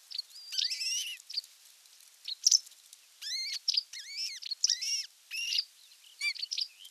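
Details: Osprey calls at the nest on 27 June 2022, when a whole fish arrives for dinner: shrill, arched whistled chirps in quick runs and separate bursts, some rising then dropping, with near silence between them.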